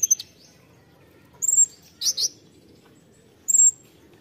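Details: Konin 'tembakan' material: widely spaced, short, very high whistled notes and one pair of buzzy chips, with long quiet gaps between them.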